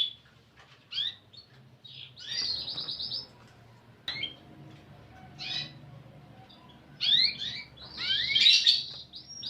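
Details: Canary giving short, scattered song phrases in a unique cengkok style: brief chirps and sweeps separated by quiet gaps, then a fuller burst of trilled notes near the end over faint background hum.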